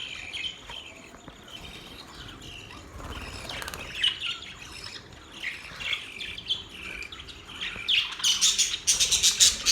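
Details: Budgerigars warbling softly with scattered squeaky notes that build toward the end into a loud, rapid string of harsh chirps and squawks.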